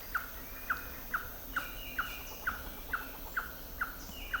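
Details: Slaty-tailed trogon in rainforest along Pipeline Road in the Gamboa region of Panama in March; a steady series of short, hard notes, about two per second, with faint insect and bird sounds behind.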